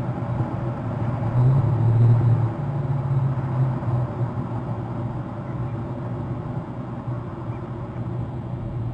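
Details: Low, steady engine-like rumble, swelling slightly around the second second, with no animal calls heard.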